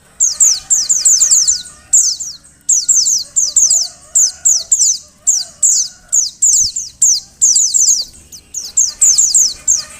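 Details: Female Oriental white-eye calling to prompt males to sing: high, thin, descending chirps in quick clusters of two to four, repeated steadily with short gaps, faint low hum behind.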